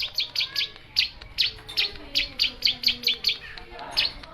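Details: Long-tailed shrike repeating a short, high, sharp chirp about every half second, each note bright and clipped, forming a steady chattering series over faint background hiss.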